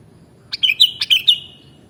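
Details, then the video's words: Kutilang, the sooty-headed bulbul, singing on a mastering track: a lively phrase of about five quick, liquid whistled notes, each opening with a crisp click, delivered within one second against near silence. "Mastering Burung Kutilang Original Bikin Burungmu Bisa Langsung Nyaut dan Gacor"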